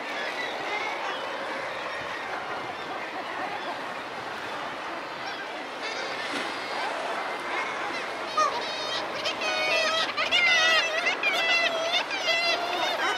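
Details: Razorbill calls recorded close up: a low, steady mass of overlapping harsh calls that grows louder in the second half. Rapid, repeated broadband pulses run through the later part alongside more distinct calling.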